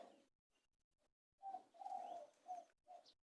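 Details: Spotted dove giving soft, low cooing notes: a short coo, a longer drawn coo, then two brief coos, faint and slightly muffled, with quiet gaps before them.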